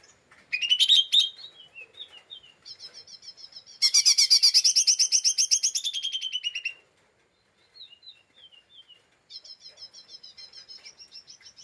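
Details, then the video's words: Agitated lesser green leafbird giving ngeriwik chatter meant to provoke rival birds: rapid buzzy rattles and sharp chips, one long loud rattling burst lasting about three seconds, then softer quick twittering series resuming after a pause. "Pancingan Cucak Ijo Mini Cimin Malasa bunyi / ngeriwik / Emosi tidak stabil"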